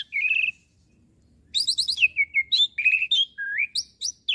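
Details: Asian pied starling song used to train young birds: a buzzy warbled phrase, then a lively jumble of chattering notes, trills and rising whistles.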